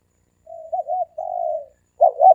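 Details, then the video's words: Brief snatch of dove cooing used as a lure: a soft wavering coo, a longer steady coo, then the loud clipped double note that opens the next three-coo phrase. "เสียงนกเขาสามกุก เสียงนกเขา เสียงนกเขาใช้สำหรับต่อ เสียงนกเขาต่อหมานเข้าเร็ว"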